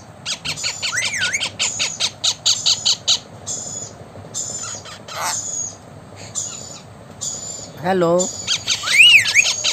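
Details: Blue Indian ringneck parakeet giving rapid bursts of high, harsh squawks and chattering notes, then a slurred voice-like phrase and a rising whistled note near the end.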